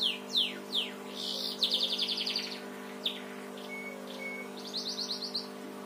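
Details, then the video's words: Canary trained to sing house sparrow style (cengkok burung gereja): quick descending chirps open into a rapid high trill, then scattered notes and two short level whistles, closing with another brief fast trill, with a constant low hum behind. "Kenari cengkok burung gereja"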